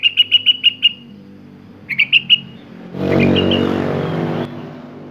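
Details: Sooty-headed bulbul in full song, showing off its varied repertoire: a quick run of six clear whistled notes, then three more after a pause, followed by a burst of broad noise.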